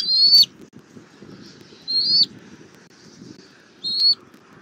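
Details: High whistled calls from a wild bald eagle family meeting on their nest tree in Southwest Florida, April 2024 nest cam: three separate thin, slightly rising notes spaced about two seconds apart over low background rumble.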